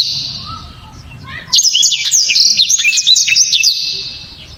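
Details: Blacktrod songbird kept by Indonesian bird-song hobbyists, prized for loud, sharp, dense song; after a quiet start, a burst of rapid high whistled notes with quick up-and-down slurs and sharp chips runs continuously for three seconds.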